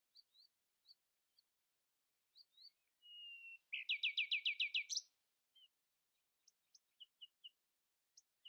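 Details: Common nightingale in early-morning song, outsinging rivals: scattered high chips, a steady flat whistle, then a loud, evenly spaced rattle of about ten rapid strokes, trailing into sparse short whistles and ticks.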